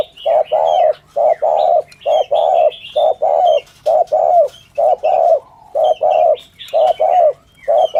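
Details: Spotted dove cooing in the 'thổ thúc gù' style favoured for luring doves: a steady run of soft, low paired coos about once a second, with thin high chirps from other birds in the background.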